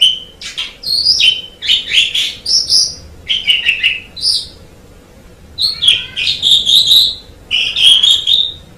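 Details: White Asian pied starling sings lively phrases of slurred whistles and scratchy chirps in clusters, pausing about a second midway before resuming with bright, sustained high notes.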